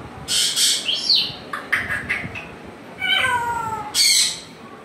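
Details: Pet African grey parrot indoors, prompted by its owner for a cat sound. It gives harsh raspy bursts, then a falling, whistled meow-like call and a final sharp squawk.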